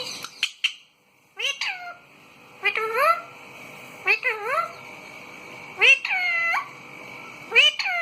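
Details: A pet rose-ringed parakeet gives loud, harmonic calls that rise and then bend downward. They come in short runs with uneven gaps, some sharp and clipped, others drawn out.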